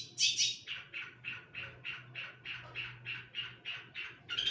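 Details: Long-tailed shrike giving a rough, harsh note repeated about three times a second in an even series, opened by two brighter squeaks, over a low background hum.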